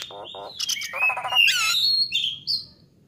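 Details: Nias hill myna in vigorous song, recorded to train songbirds: short buzzy rattles, then a loud, jumbled run of chattering and slurred whistles, ending with a rising whistled note.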